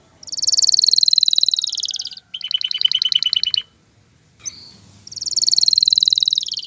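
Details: A male canary sings to ready a female for mating and nest building: a long rapid buzzy trill, then a quicker, lower rattling trill, a brief pause, and another sustained bright trill.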